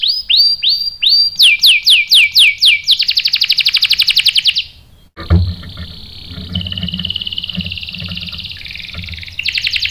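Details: Canary song meant to provoke males into answering: repeated descending sweeps, a rapid high trill that fades, a short silence, then softer sustained buzzy trills over some low background noise.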